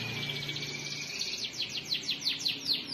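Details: Canary delivering a long rolling song: a steady run of rapidly repeated, downward-sweeping high notes over a constant background hiss.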